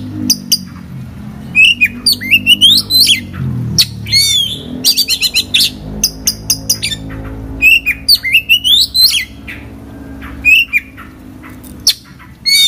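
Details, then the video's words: Oriental magpie-robin in full song packed with fill-in phrases: rapid bursts of high, sharply bending whistles and chips in varied clusters over a low steady hum and rumble. "kacer gacor full isian"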